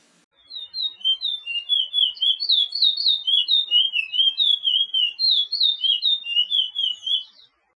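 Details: Chestnut-bellied seed finch, called picolet or curio, from Suriname, South America, in a training song for caged birds: a long run of clear whistled slurred notes alternating high and low, roughly two per second, in a steady chattering phrase.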